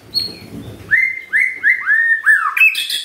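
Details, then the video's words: Lure song from a white-rumped shama to set other shamas singing: a high note, then a run of five descending slurred whistles in quick succession, ending in a burst of sharp high notes. "SIULAN MURAI BATU INI SANGAT EFEKTIF SEBAGAI PANCINGAN MURAI BIAR GACOR"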